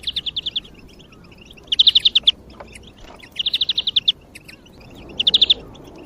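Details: European greenfinch singing, used as a lure to motivate other birds: four rapid rattling trills of ringing notes, each lasting under a second, repeated roughly every one and a half seconds against a quiet background.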